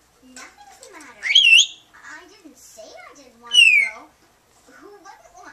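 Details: Indoor pet African grey parrot, female, copying a cat's meow for the first time: two loud, high, bending squawk-whines about two seconds apart, with soft chatter between them in a small room.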